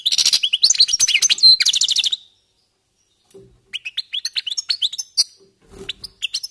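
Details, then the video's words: Goldfinch warm-up song opens with a fast buzzy trilling twitter, falls silent for about a second, then resumes with spaced, bright rising chirps. "jilgueros calentando motores"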